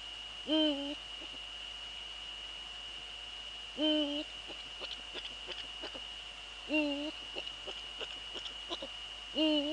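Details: Male Eurasian eagle-owl, Netherlands, 6 February 2013 at 17:30: four deep, brief hoots repeated about every three seconds, interspersed with faint tapping clicks, over a steady thin high tone.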